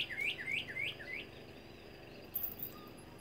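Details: Northern cardinal, locally called red bird, singing from a tree in Bermuda: five clear whistled notes, each sliding down in a quick run in the first second, then the bird falls quiet, leaving faint background rustle.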